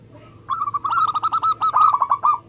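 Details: Local zebra dove singing in rapid, close-packed style. One sustained two-second series of soft, rolling coos delivered in quick succession, slightly louder toward the end.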